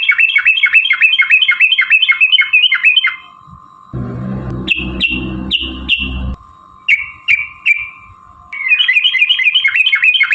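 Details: Yellow-vented bulbul in a long fighting song, ropel panjang style, used to provoke other bulbuls into singing: rapid bubbling runs of repeated notes, then separate whistled slurs, broken midway by a low rumbling noise and a steady tone.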